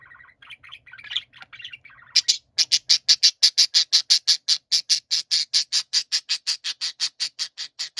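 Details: Budgerigars singing in a chorus shift from soft warbling chatter into a harsh, grating ギジギジギジ sound: raspy buzzy pulses repeated about three times per second, steady and loud.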